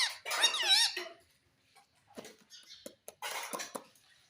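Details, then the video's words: Pet rose-ringed parakeet, a green ringneck that talks and is said to say "mummy": one loud, warbling, speech-like phrase lasting about a second, followed by quiet clicks, taps and rustling indoors. "Talking parrot || Mummy bolne wala tota || bolne wala tota"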